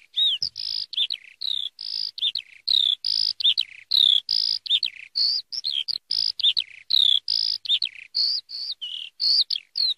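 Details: Eurasian skylark delivering a long, continuous warble of high sustained whistles and quick slurred notes, flowing without a break for ten seconds.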